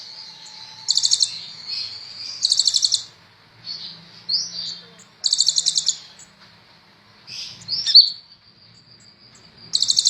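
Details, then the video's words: Sunbird known as kolibri ninja, recorded as tutor song: loud very high trilled bursts about every one and a half seconds, separated by soft thin whistles and a sharp upslurred note. "Burung Kolibri ninja super gacor cocok buat masteran"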